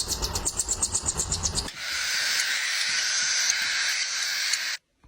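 A young parrot gives rapid pulsing rasps, about seven a second, then one long harsh hissing rasp lasting three seconds before falling silent.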